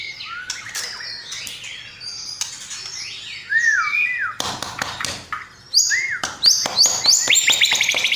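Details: White-rumped shama, called murai batu, singing a masteran song filled with sparrow, lovebird and kapas tembak phrases: arched whistled notes, sharp clicks, then rapid high repeated trills growing louder.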